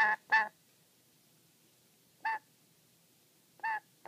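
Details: Wary, irritated pet black-capped lory guarding its favourite sock toy: two harsh squawks in quick succession, then two softer, isolated rasping calls separated by pauses of over a second, with faint room noise.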